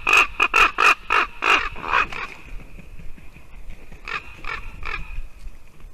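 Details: Ravens visiting a white-tailed eagle nest in Latvia on a December morning, calling to the female eagle sitting there. A rapid run of about seven harsh, throaty croaks, then a softer burst of three or four more after a pause.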